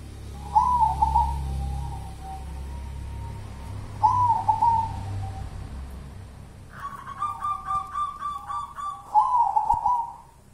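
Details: Local wild zebra dove, a 'kuntilanak' perkutut, repeating short trilled coo phrases every few seconds, then a richer, louder harmonic-laden phrase and a final wavering coo, over low background rumble.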